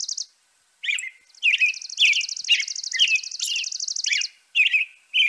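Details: Song of a European robin, a string of brief chirped notes roughly twice a second beneath a long, fast, high warbling trill, ending with separate high squeaks.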